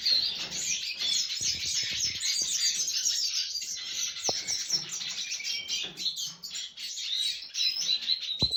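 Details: Red siskins, recorded 20 December 2023, twitter in a dense, high, continuous stream of rapid chips and buzzy trills, broken now and then by a few soft knocks or clicks.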